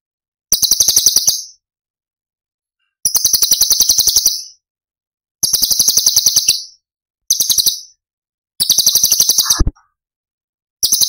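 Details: Masteran of cucak cungkok tembakan song, Cililin style, meant for tutoring murai batu, kacer and other cage birds: six fast, shrill, chattering trills, some over a second long, with brief gaps and one low thump.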